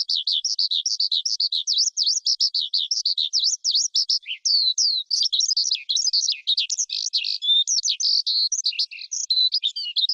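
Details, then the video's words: Long, unbroken outpouring from a forest skylark: quick rhythmic V-shaped chirps that turn into a dense, tumbling medley of trills and squeaks, all high-pitched and clean. Used to rouse wild birds and coach young birds' song. "Tiếng Chim Sơn Ca Rừng Hót Hay Nhất"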